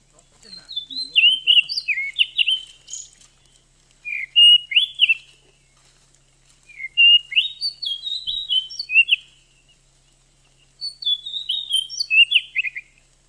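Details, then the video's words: Calls of a female Oriental magpie-robin, used to provoke a male into singing and arouse him; four phrases of sweet, high whistled notes with quick downward slurs, each phrase about two seconds long with short pauses between. "suara Kacer betina.untuk memancing Kacer jantan mau bunyi"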